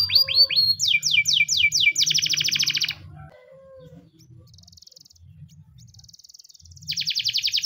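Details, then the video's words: Spanish timbrado canary giving a morning training song: quick falling whistles, then a buzzy rapid trill lasting a second, a quieter pause with soft notes, and a renewed fast metallic rolling trill at the end over low hum. "The best canary training song in the morning! spanish timbrado canary singing"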